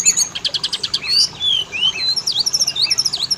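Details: Oriental magpie-robin lure song to make males and females sing; a rapid string of high chips followed by sweeping whistles and sharp V-shaped notes.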